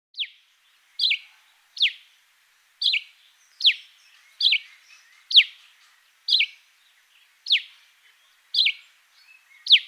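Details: A Cape Sparrow in a garden in Fourways gives bright, high chirps that sweep sharply downward, repeated about once a second, with an occasional softer note between them.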